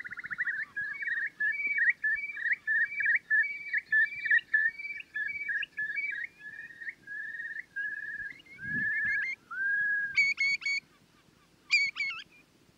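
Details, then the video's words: A curlew gives a quick run of repeated whistled piping notes, then slurred rising whistles and a few sharper, higher notes, over a low wind rumble. "Curlew Sounds"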